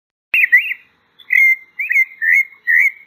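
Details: After a sharp click, a pale-breasted thrush gives five warbled whistled phrases, drawn out and gently wavering, spaced about half a second apart in quiet surroundings.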